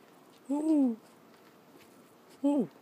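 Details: Two short, tonal calls from a young northern white-faced owl, hatched 15 or 17 December 2012 and nearly ready to fledge, each arching up then sliding down, about two seconds apart, in a quiet room.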